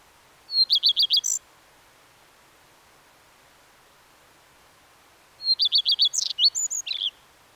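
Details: Two song phrases from a common redstart, about five seconds apart, each opening with a high note and a rapid series of repeated chirps, then a varied scratchy, twittering ending; quiet surroundings between phrases.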